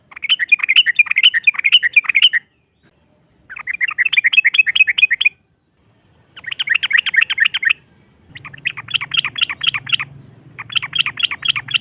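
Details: Yellow-vented bulbul in long rapid song, played to stir a rival into answering; four dense bursts of fast bubbly chatter separated by short silences, with a low hum under the later bursts.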